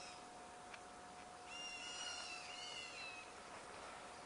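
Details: Black Bulbul cheeping in reply to another black bulbul: a faint, drawn-out mewing note with a slight downward slur, given twice in quick succession over steady background hiss.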